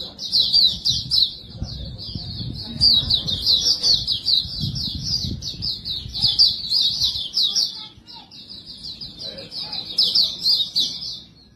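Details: Long unbroken twittering from a white-breasted white-eye singing 'bocor' style as a lure for other birds: high rapid notes that ease off briefly near the end, with low rumbling background noise.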